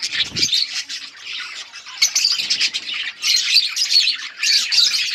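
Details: Budgerigar colony chirping while eating: dense, overlapping high warbles and squawky chatter with no pauses, one brief low thump near the start.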